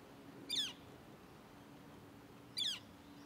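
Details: A Northern flicker chick calling for its parents at Arrowhead Lake, Orland Park, Illinois, on 18 June 2023, giving two short, raspy, high descending calls about two seconds apart over a faint steady hum.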